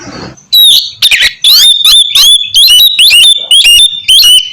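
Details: Oriental magpie-robin (kacer) singing in loud ngeplong style: a brief harsh opening, then a rapid run of sharp, rising whistled notes, about two each second.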